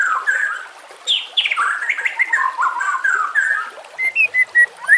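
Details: Murai batu, or white-rumped shama, sings a rambling warble of sweeping, slurred whistles, ending in several short, clear whistled notes stepping up and down in pitch.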